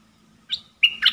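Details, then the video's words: Decoy red-whiskered bulbul kept in a cage for trapping. One short note is followed by a quick, bright, whistled phrase. "เสียงต่อนกดอกแตงEp.76นกต่อเจ้าแบงค์(เสียงใหม่ล่าสุด)ดอกล้วนๆ01-09-2021Suara pikat merbah lekir"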